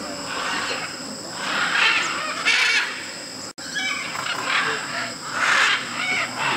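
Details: Macaws at the Tambopata clay lick in Peru, where hundreds of macaws and parrots gather daily to eat clay: harsh, raspy squawks in scattered bursts every second or two over a steady high insect drone and many other birds.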